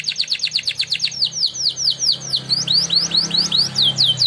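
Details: Contest-winning canary in a training song, with quick runs of sharp downslurred whistled notes repeated several times a second. The pace slows midway into sweeping, slurred phrases over a faint low hum.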